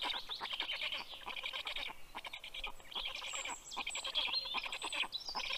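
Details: At a black stork nest in southern Estonia's Karula National Park, filmed by nest camera on an June 2023 evening as the male delivers fish to the chicks; dense raspy chattering bursts with thin high whistled notes from other birds.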